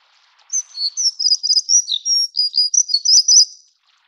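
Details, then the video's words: Plumbeous redstart (Rhyacornis fuliginosa affinis, Taiwan endemic subspecies) giving a thin, very high, scratchy twitter of quick chirps and short trills, running unbroken for about three seconds against a silent background. "鉛色水鶇(紅尾水鴝)/Plumbeous Redstart"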